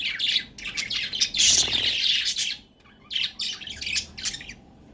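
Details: Pet budgerigars (Melopsittacus undulatus) at play chatter in bright, scratchy warbles and chirps, with quick bursts broken by brief pauses.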